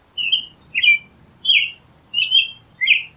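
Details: An American robin sings five short, clear, caroling phrases, slurred whistles rising and falling about every two-thirds of a second, against a quiet background.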